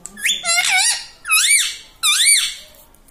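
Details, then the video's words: Pet green ringneck parrot talking, taught to say "mummy" and "radhe radhe"; three rounded, wavering voice-like phrases with rich harmonics, each rising then falling in pitch, about half a second apart. "talking parrot mummy ||mummy bolne vala parrot ||radhe radhe vala parrot"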